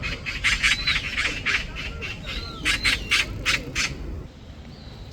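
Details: Magpie calling noisily in a tense morning scene, its fledgling on the ground nearby, signalling that a predator has appeared: harsh rasping chatter bursts repeated in quick uneven runs, about nine sharp notes, with faint whistled tones between.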